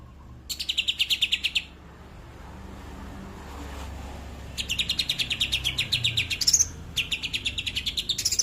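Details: Tembakan kapas tembak song from a greater green leafbird: a burst of fast, high repeated notes, a quiet stretch with faint hiss, then longer rattling runs with a shrill upslurred note.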